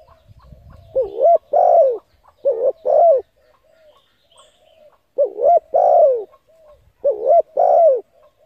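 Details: Spotted dove calling to excite decoy birds, giving three bursts of paired coos, a short rising note followed by a fuller drawn-out coo, separated by pauses of about two seconds.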